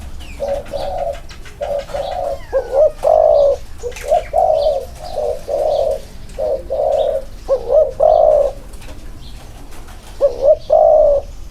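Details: Two spotted doves are placed together so their inner-circle cooing can be compared. A long run of deep, rounded coos is broken by quick hiccup-like upturns. Scattered faint bird chirps sit above the cooing.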